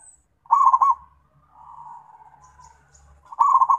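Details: {'caption': 'Zebra dove calling to its companions: a rapid burst of four or five mellow, bubbling coo notes, a quiet drawn-out trill between, then another staccato burst at the end, over a faint low hum.'}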